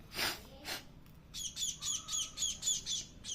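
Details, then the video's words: Hungry young bird being hand-fed chapati, begging with rapid harsh double-toned squawks repeated about four per second, after a few louder broadband squawks and a brief low whistle; people talk nearby. "bahut bhookh lagi hai"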